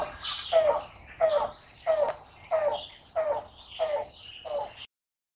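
Yellow-billed cuckoo giving a series of seven hollow, low knocking notes, about one every 0.65 seconds, with faint higher chatter in the background.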